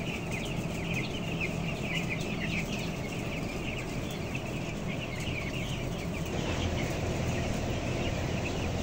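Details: Fourteen-day-old broiler chicks, 525 grams each, in a closed house holding 11,000 birds, upper floor; many overlapping short chirps form a continuous busy peeping, with a steady low rumble underneath.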